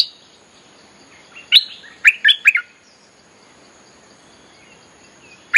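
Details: Wild-bird lure recording of a bulbul: a rising whistled note followed by a quick cluster of bubbly, liquid notes, then quiet and a final brief note at the end.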